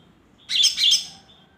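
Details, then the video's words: Newly bought caged greater green leafbird singing in the ngombyok style; one short, bright phrase of two quick warbled chirps over near silence. "baru beli ngombyok kemarin sore."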